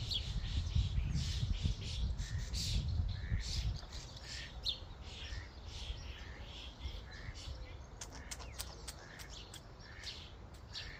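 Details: A flock of common starlings at a feeding station. Dense overlapping chatter of clicks, rattles and short whistles, with a low rumble loudest over the first four seconds that then eases off.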